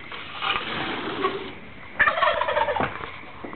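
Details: Wild turkeys roosting in trees in woods outside a window in pitch-black night, gobbling in response to noises; a rough rattling gobble burst around the middle, after fainter rough calling, with a sharp knock.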